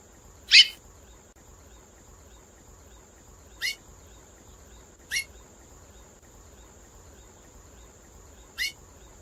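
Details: Female chestnut-bellied seed finch giving four short, sharp chip calls at uneven intervals of about one to three seconds, each a quick downward-sweeping note. A steady high electronic whine runs throughout over a quiet background.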